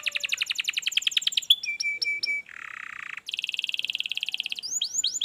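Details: Canary singing to encourage a quiet canary: rapid pulsed trill, then repeated flat whistled notes, a low buzzy section, a fast high rattle and rising whistled notes at the end.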